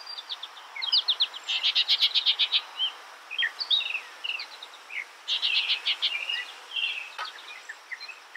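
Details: Skylark singing: bursts of rapid high chirps and short trills, with quieter twittering notes between two louder stretches of fast repeated pulses, over a faint steady background hiss.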